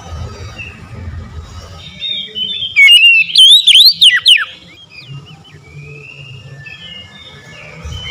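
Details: Oriental magpie-robin: a brief, loud outburst of rapid up-and-down whistles amid softer background chirping.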